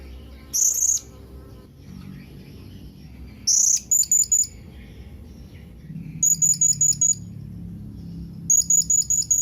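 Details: Blue-crowned hanging parrot calling to companions: very high, thin, shrill tseet notes, a single note then quick runs of three to five, in bursts a few seconds apart over faint low background hum.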